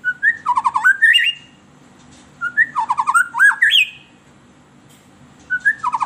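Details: White-rumped shama song used as a lure for captive birds: loud, varied phrases of slurred whistles mixed with sharp buzzy notes, given in bursts about every two to three seconds with quiet gaps between.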